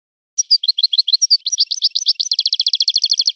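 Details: European goldfinch singing in a learned song style, a fast tinkling twitter of varied high notes that speeds into a dense, evenly repeated trill near the end, with no other sounds.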